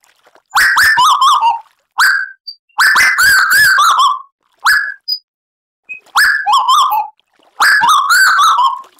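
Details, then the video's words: Tuwu bird singing energetically on a lure recording made for caged birds. Short bursts of ringing whistles that rise then fall in stepped wavers, several phrases over nine seconds with small isolated chirps in the gaps. "Tuwu Gacor Audio - Tembakan Lampiran Burung Tuwu Gacor Sadis"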